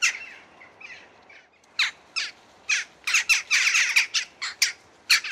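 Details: Western jackdaw calls from Sweden: faint calls at first, then a lively series of sharp, harsh squawks repeated rapidly and irregularly, notes overlapping as several birds call at once.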